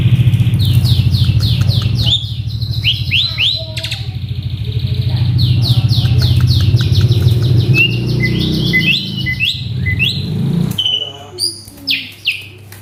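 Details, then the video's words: Caged male Asian pied starling, worked up, pours out rapid chattering notes repeated several per second, then mixed whistles and scratchy phrases. A heavy low droning hum covers most of the recording, fading near the end. "Si Jalu Emosi | Suren Ngamuk | Full Isian"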